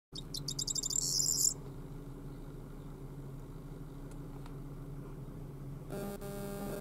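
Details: Corn bunting song: a quick run of high, ticking notes that speeds up into a short jangling trill lasting about a second and a half, then a low steady hum, with a mechanical tonal buzz near the end.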